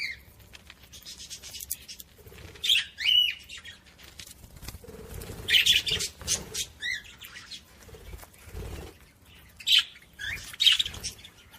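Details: Budgerigar sound played to stimulate other budgies: short separate chirps and squeaky notes in bursts, some with sliding whistled tones, spaced by quieter gaps with faint wing flutter.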